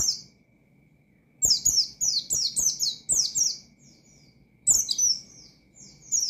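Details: An Oriental white-eye sings hard in ngalas fashion, challenging opponents and rousing untrained birds. After a quiet start, strings of high, piercing, down-slurred notes come about three per second, broken by short gaps.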